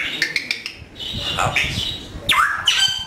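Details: Pet African grey parrot taught Urdu and Pashto words, giving quick clicks followed by speech-like babble and two loud sweeping whistled squawks near the end.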